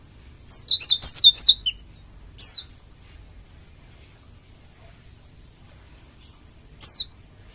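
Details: Bali dakun-style oriental white-eye, used to prompt other white-eyes to sing: a brief burst of rapid, high twittering notes, followed by single thin descending chirps separated by long silences.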